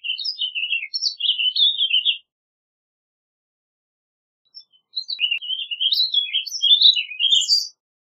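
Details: Two rambling warble phrases from a warbling vireo, the first briefer, the second nearly three seconds of quick slurred ups and downs, separated by a quiet gap.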